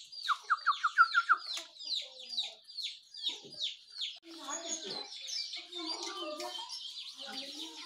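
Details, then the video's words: Morning birdsong from sooty-headed bulbul, yellow-vented bulbul and white-eye: opens with a fast series of clear ringing notes, then repeated high downslurred chips, turning into busier, lower chattering in the second half. "Suara Burung Jongkangan, Terucukan , Pleci di pagi hari"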